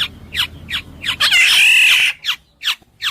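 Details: Black-naped oriole (kepodang emas) repeating sharp, harsh downward-slurred notes roughly every 0.4 seconds, interrupted by a drawn-out loud grating squawk lasting nearly a second.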